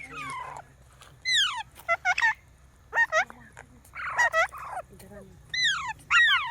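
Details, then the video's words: Green parrot talking in separate bursts: bright calls that slide downward and clustered squawky syllables, set over a steady low hum. "Parrot Talking video| Green Parrots moments"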